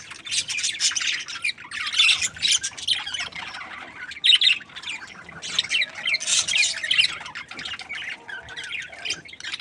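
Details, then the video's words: Happy budgerigars from a breeding pair, a dense, busy chatter of squawky chirps, warbles and short harsh notes overlapping in loud bursts throughout, with brief quieter gaps between outbursts. "Happy budgies chirping sounds | parakeet breeding pair"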